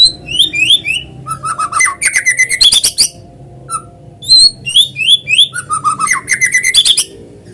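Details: Lure song of a white-rumped shama (murai batu), meant to set other shamas singing: rich whistled phrases with rising slurs and rapid clipped note series, repeated in two long bursts.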